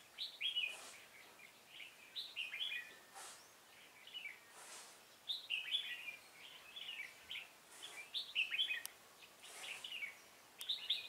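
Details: Bird trapping, 16 November 2017: a red-whiskered bulbul sings a lively run of bright, bubbly whistled phrases, repeated almost continuously every second or so, over a low steady hiss.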